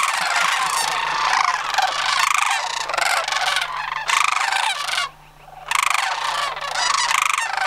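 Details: Sandhill cranes gathered for autumn migration at Homer, September 2009. A steady chorus of rolling, grating rattles from many birds, interrupted by one clear half-second gap before resuming.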